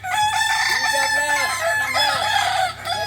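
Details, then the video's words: Ornamental Kukuak Balenggek rooster from Solok, West Sumatra, at a training session: one continuous, loud crow of rapid rolling syllables lasting throughout, over a low hum. "Latberan ayam kukuak balenggek akb ayam hias asli solok sumbar"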